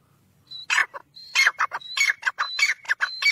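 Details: Black francolin: after a quiet start, thin high whistled notes alternate with loud, harsh, broadband rasping bursts in a quick, uneven series.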